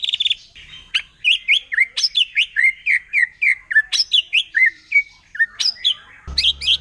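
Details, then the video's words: Forest-dwelling wild white-rumped shama firing a 'nembak' song that provokes rival shamas: a fast run of varied slurred whistles and sharp upswept and downswept notes, ending in a short harsh burst. "Murai Batu Hutan Kalau udah Nembak Bikin Emosi Burung Murai Lain"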